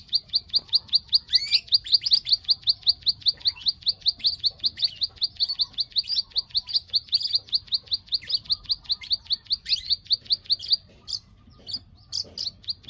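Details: Bar-winged prinia, known locally as ciblek, giving its 'klik klik' call, used as a lure to bring birds into breeding condition: sharp high clicks repeated steadily about two or three per second, with occasional other chirps mixed in.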